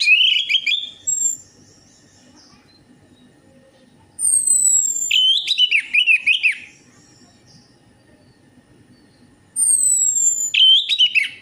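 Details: Orange-headed thrush lure song to prompt singing: three loud bursts of rich, wavering whistled phrasing, each paired with very high, thin, descending whistles, separated by quiet gaps.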